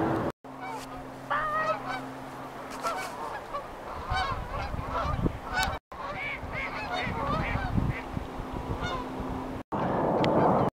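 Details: Flock of geese calling at Beaver Dam Flats along a riverbank in Calgary, Alberta, a resting spot where they take off on flights to warmer climates; overlapping nasal honks in dense bursts, with a steady low hum and brief cuts in the sound.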